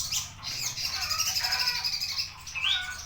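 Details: Javan bushlark song: a continuous, dense warble of high notes, with a rising whistle near the end, over a low steady hum.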